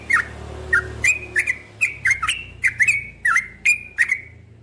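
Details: Cream-vented bulbul singing repeated short notes, some falling and some rising, grouped in quick bursts, over a steady low-pitched background drone.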